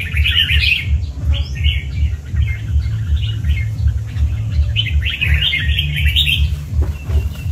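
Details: Red-whiskered bulbul, 'cọp' type, singing two lively bursts of rapid, chattering warbled notes separated by a pause, against a constant low pulsing hum.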